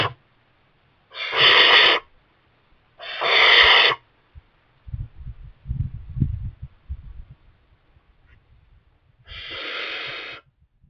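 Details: Barn owl chick in a kestrel nest box, parents bringing mice: two hoarse hissing screeches about two seconds apart, then a stretch of rustling and thumping, and a third, quieter hiss near the end.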